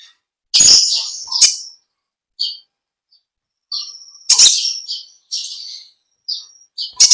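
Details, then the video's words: Olive-backed sunbird, known locally as konin or kolibri ninja, singing in full vigorous voice: sharp, high chirps and short trills, some with harsh broadband bursts, given in irregular bursts separated by brief silences. "Original sound konin kolibri ninja suara lb ngekek panjang gacor"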